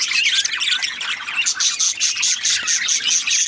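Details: Budgerigars warble in a jumbled high chatter at first, then one bird repeats a thin, high chirp about three times a second over the ongoing twittering.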